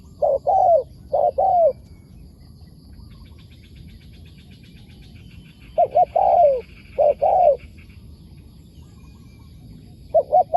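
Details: Wild spotted dove answering a decoy bird, a target bird followed for a month, with a wild calling style. Two bursts of cooing phrases, each of two short notes then a longer, falling coo, separated by about four seconds of quiet.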